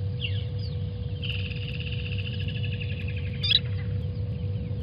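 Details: Water thick-knees calling while chasing away vervet monkeys at Djuma waterhole, 28 November 2020: a sustained, buzzy, harmonic-rich whistle held for about two seconds, then a brief sharp note, over a steady low hum and faint background bird calls.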